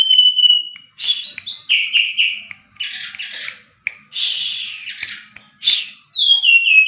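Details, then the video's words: Varied song of a Bali brown-chested jungle flycatcher (srdc). A long steady whistle, then buzzy stuttering notes and harsh rasps, and finally descending whistled slurs, in phrases split by short silences. "srdc gacor cocok buat masteran"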